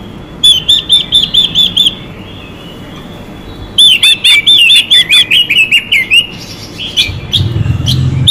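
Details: Female hwamei sounding to provoke male birds: a fast series of seven ringing arched whistles, a pause of about two seconds, then a longer, more jumbled burst of rapid notes sliding downward.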